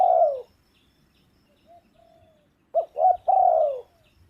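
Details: A falling coo ends, then quiet soft hoots, then a spotted dove's full phrase of two short notes and a long, downward-sliding final coo, loud and clear.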